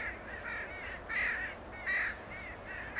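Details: Northwestern crows in Homer, Alaska, on the Beluga Slough Trail calling in a rapid series of hoarse, nasal caws, roughly one or two per second, two notably louder and longer, several crows overlapping.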